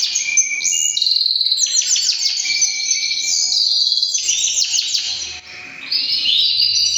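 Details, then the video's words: A three-year-old white male canary sings a long, continuous run of bright, high trills and rapid rolling phrases, shifting pitch between sections with barely a pause. "beautiful male canary singing"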